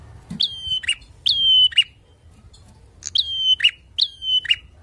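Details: Loud lure song of a bar-winged prinia aimed at rivals: two phrases, a silent second, then two more, each a sharp high whistle levelling off and ending in a short buzzy burst.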